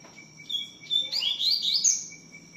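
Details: Double-collared seedeater singing a song in the tui-tiu style: a short burst of high, sweet whistled and slurred notes, rising and tumbling quickly, over a steady background hum.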